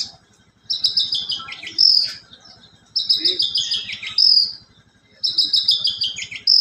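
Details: Horsfield's bush lark (Mirafra javanica), captive, singing high, bright phrases about every two seconds: quick chattering notes stepping downward, then a clear whistle, with sparrow- and canary-like borrowings; mimicry song.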